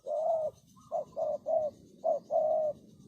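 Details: Spotted dove calling as a decoy to lure birds, a run of mellow cooing notes of mixed length, one long coo followed by shorter clipped ones and another long drawn coo, over a low rumbling background.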